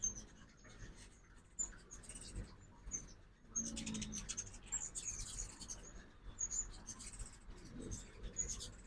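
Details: Ruby-throated hummingbirds at a feeder in Oxford, Mississippi, during morning fall migration; busy high-pitched chipping and squeaky chatter from several birds throughout, with faint low background noise and a soft lower call midway.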